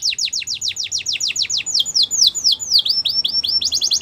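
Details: Belgian canary delivering a steady, rapid trill of sharply descending whistled notes, about four per second, slowing into wider swoops before speeding up again.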